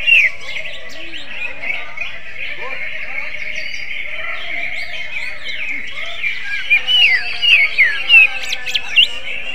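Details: Greater green leafbird with kacer-like song: soft varied warbling, then crisp whistled slurs in quick clusters near the end, over an ongoing chorus of many birds.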